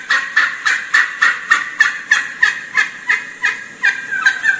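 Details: A wild turkey hen calls to approaching gobblers in a fast run of harsh, throaty notes, about three a second, with varied pitch, stopping each time a gobbler gobbles, so the rhythm breaks up toward the end.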